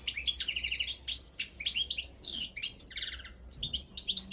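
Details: European goldfinch, subspecies balcanica, singing in a world championship goldfinch song competition run online from Serbia. Dense twittering song with trilled runs, tinkling chirps and a short buzzy rattle mid-phrase.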